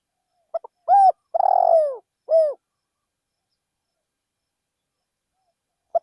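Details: Decoy spotted dove calling from a rice field; one complete phrase of two pips, a coo, a long quavering descending coo and a final coo, then about three seconds of silence before the next phrase begins.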